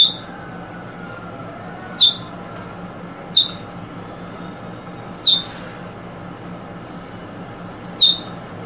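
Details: Eurasian Bullfinch calls of the 'drawl' and 'weet' types, 2022: five brief, clipped, high descending notes with uneven gaps of one to three seconds, and a faint steady hum behind.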